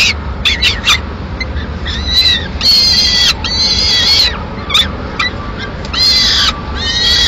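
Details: A Peregrine falcon chick begs in Madrid on 22 May 2016 as the female takes the male's swift to a window. Short clicking notes lead into long, harsh screams, then more choppy calls.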